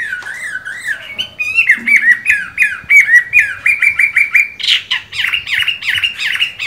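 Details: Moulting Chinese hwamei with mung-bean green eyes in strong song: a loud run of rapidly repeated, bouncy whistled phrases, shifting midway to another fast series of clear, ringing notes.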